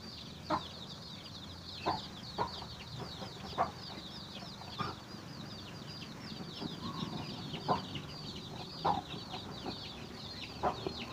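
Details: Chicken finding food for its chicks, original sound: a steady stream of high, thin, downward-slurred peeps runs throughout, broken by short, sharp low clucks or taps every second or two.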